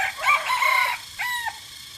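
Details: White and gray chicken, a jungle fowl, kept for its crowing: a loud, hoarse crow lasting about a second, followed by a shorter, clear drawn-out tail note.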